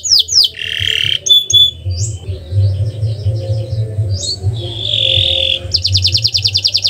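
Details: Canary singing in a practice recording: broken high whistles, a brief buzzy note and scattered chirps, ending in a quick rattling trill, over a steady low hum.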